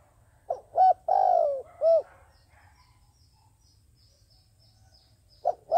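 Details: Cooing decoy dove for luring wild doves into traps: quick paired hoots, a long drawn coo sliding downward, a short closing note, then silence before the next phrase begins.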